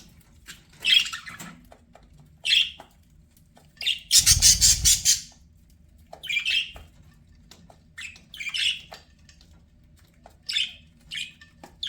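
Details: Pet budgerigars giving short, scratchy squawks at intervals of one to two seconds, with one longer, louder harsh burst near the middle.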